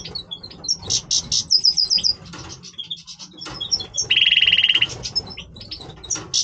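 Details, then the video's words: Breeding voice of a Major European goldfinch: rapid high twittering notes and short trills, then a drawn-out buzzy nasal rattle in the middle before the bright chatter resumes. "Stieglitz Major Breeding Voice - singing Goldfinch Part 1 طائر الحسون الرائد"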